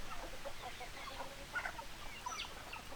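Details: Domestic chickens, hens and roosters, in a farmyard: a steady jumble of short, soft clucks and chirps overlapping throughout, with a few brighter squawks near the middle and end over low background rumble.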